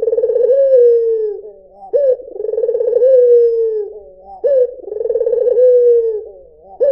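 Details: Melodious white dove cooing clearly: a short upward note, then a vibrating purr that settles into a long, slowly falling tone. Three phrases follow each other closely.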